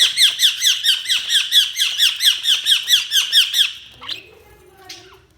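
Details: Budgies chirping indoors: a steady run of about fifteen harsh, squawky chirps repeating roughly every quarter second, then fading into quieter scattered squeaks and low room noise.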